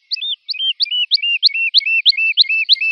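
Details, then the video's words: Lark song meant for teaching young birds: a steady series of paired notes, a sharp high upstroke followed by a lower flat whistle, repeated about three times a second on a clean, quiet background. "تغريد الولوال لتحفيظ الفراخ - chant d'alouette"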